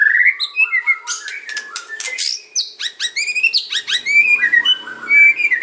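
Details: White-rumped shama song of kretekan and ocean type, played to entice other shamas to reply: dense crackling clicks blending into rising whistled trills and warbled phrases.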